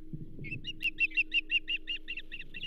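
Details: Osprey at the Charlo nest on 15 June 2024, calling during a morning feeding as a pumpkinseed fish is brought in; about a dozen sharp, even chirps repeat steadily over low rumbling background noise.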